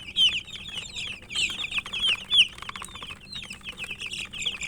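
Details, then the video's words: Domestic chicken chicks chirping as they eat: bright, sharp cheeps sliding downward, some louder single peeps standing out over a busy flock chorus, with scattered pecking taps and a low steady hum. "Murgi chicks Chirping sounds and eating"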